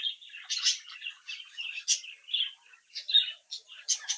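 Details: Young budgerigars bred in captivity, playing and interacting, give a busy stream of high chirps and warbled chatter, short bursts with brief gaps, several birds overlapping.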